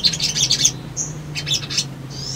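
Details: Brown-throated sunbird, used as a lure to make birds respond: rapid high chirping bursts, a short clear whistle, another chirpy burst, then a thin rising whistle, over a steady low hum.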